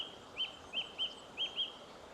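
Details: A song thrush sings in the distance on a sunny morning in woodland on Cape Clear Island, as it has for hours: five short, thin, high notes, the later ones in quick pairs, above a trickling stream and light breeze.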